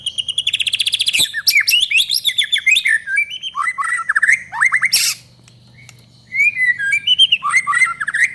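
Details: White-rumped shama in lively 'gacor' song, used to provoke kept shamas into singing: a fast rattling trill opens, then varied whistled and slurred phrases swooping up and down, a brief buzzy burst, a pause, then more rising whistles.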